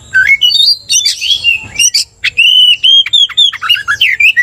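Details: Oriental magpie-robin in loud 'gacor' song meant to provoke rival magpie-robins: continuous rich whistles, rising slurs and buzzy chattering notes in quick succession, with a brief low thud midway.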